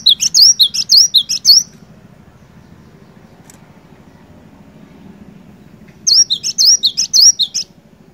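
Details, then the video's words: Energetic cinereous tit song intended to make a reluctant bird start singing: two bursts of quick, high, looping whistled notes about four seconds apart, over a faint steady low hum. "Burung Glatik Batu Gacor, Cocok Buat Mancing Glatik Malas BUNYI"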